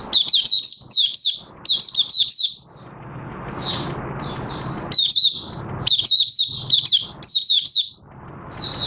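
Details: Oriental white-eye (Mata Puteh Raja) beginning its song, 30 August 2022, with fresh white feathers almost coloured; runs of sharp, high twitters, a quieter stretch of soft chirps amid background noise, then lively song resumes.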